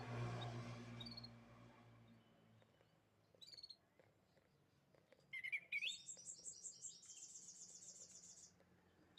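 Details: Canary gives a few scattered chirps, then a rising note leading into a three-second series of rapid, evenly pulsed high trills; faint hum and low noise behind.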